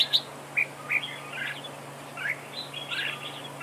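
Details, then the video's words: A red-whiskered bulbul decoy in a trap duel gives a few loud piping notes, then softer, blurred warbling chirps, over a constant low hum. "Bẫy đấu chào mào cực đẹp, hót cực hay"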